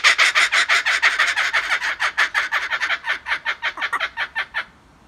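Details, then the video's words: Laughing kookaburras at Birdworld: a rapid, rolling cackle of harsh notes, about five or six a second, slowly fading and slowing to a stop after nearly five seconds. "Laughing Kookaburras"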